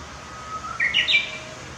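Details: Japanese bush warbler at Okamoto Park, Futako-Tamagawa, 24 April 2021, giving its song: a drawn-out level whistle that breaks into a loud, quick flourish of higher rising and falling notes, over quiet background hum.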